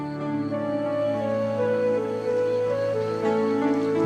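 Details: Soft, sustained instrumental music with layered tones and no animal calls.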